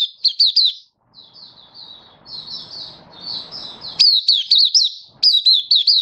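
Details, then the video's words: Malaysian mata puteh, a white-eye, in happy open song, Singapore, warm sunny day, 20 March 2023; quick chirps, a gentler warbled passage over faint low noise, then loud runs of sharp high notes. "Malaysian Mata Puteh Happy Buka Sing"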